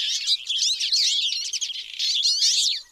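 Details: Twite giving a dense, continuous twittering of high, quick chirps and rising and falling notes, with several birds seemingly calling over one another, with brief dips near the middle and the end.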